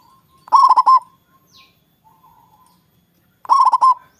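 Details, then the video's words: Local zebra dove, a loud persistent singer used to lure rivals into calling back, giving two bubbly, staccato cooing phrases of about five quick notes each, roughly three seconds apart, with a faint chirp between. "Perkutut Lokal gacor suara besar| Ampuh Memancing Lawan ikut bunyi"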